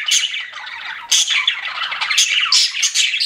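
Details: Pet budgies give a brief burst of loud, harsh chirps and squawky warbles over a constant chattering background, with sharper accented notes roughly once a second.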